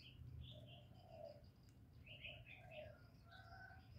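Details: Spotted dove giving low, mellow cooing in the 'thổ' voice style, used to stimulate male doves. Soft hooting coos are repeated in short phrases against busier, higher chirping from other small birds and a low background rumble.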